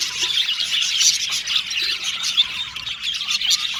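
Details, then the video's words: Happy chirping from several Australian budgerigars: overlapping warbled tweets and a few squeaky notes in a lively, uneven chorus. "Beautiful Cute Budgies Chirping Sound | Australian budgies Singing sound"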